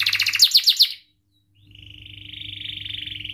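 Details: Vigorous canary song for training young or silent birds: a second of quick, bright repeated chirps, a short silence, then a sustained, evenly pulsed buzzy trill that grows louder, with a soft low hum beneath.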